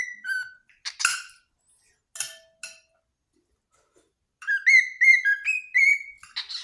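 A cockatiel gives clear whistled notes, ending in a wavering run of rising and falling whistles.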